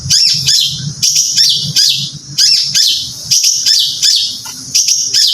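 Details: Caged singing-contest bird repeats loud, high chirped phrases about every second, each a sharp downward-sweeping burst, with a quiet low hum between them.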